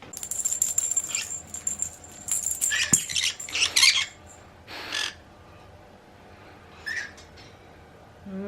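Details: Green-cheeked conure, pet bird indoors, making its over-excitement sound, which signals over-stimulation and is often triggered by toys such as bells; dense burst of shrill, rasping high chatter and squeaks over four seconds, then a few scattered short squawks.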